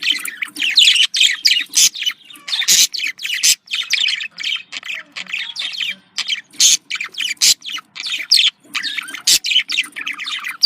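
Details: Budgerigars, Australian parakeets, giving a dense run of contact calls said to sound happy: harsh squawks and chattering warbles packed closely together, with brief gaps and sharp loud bursts throughout.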